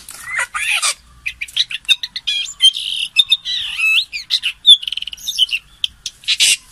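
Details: Lure calls of a common green magpie: clear whistled notes and twisting, warbled phrases mixed with short rasping squawks, a rapid stuttering series near the end, delivered in close irregular bursts.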